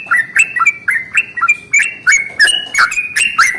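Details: Yellow-vented bulbul singing a long rolling morning song, known locally as ropel panjang, meant to prompt other bulbuls to sing: quick, bubbly two-part notes, each a bright note slurring downward, repeated about three times a second without a break.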